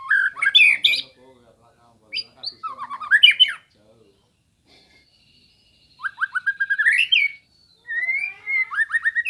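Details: White-rumped shama (murai batu) song prepared as master material for training songbirds: four separate phrases of rapid rising whistles and raspy chattering notes, with pauses of one to two seconds between them.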